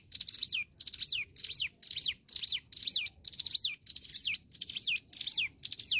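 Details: Hill prinia singing vigorously, recorded as tutor material for songbirds: bright, high phrases repeated almost twice per second, each a rapid stuttering chatter ending in a sharp, downward-swept whistle, eleven phrases in all, over a steady high whine and faint low rumble.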